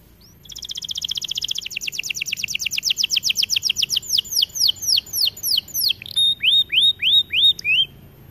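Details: Strongly singing white AF canary in an aviary, delivering a long rapid trill of high descending sweeps that slows gradually into separate, louder swooping whistled notes repeated about twice a second.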